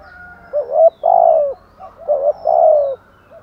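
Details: Spotted dove cooing, thúc gù and gáy gọi styles: two close phrases, each of a double hooked note followed by a long, smooth, falling coo, sung at a steady low pitch.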